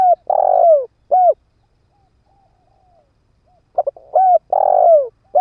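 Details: Decoy spotted dove kept on the ground, cooing to lure wild doves. Low hollow phrases: a long descending coo and a short coo, a pause, then quick short notes leading into another long falling coo.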